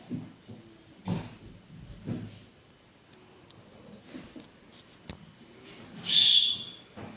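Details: A Senegal parrot gives one loud, shrill, whistled note near the end, after a snoring Dobermann's low, rasping snores and a few faint clicks.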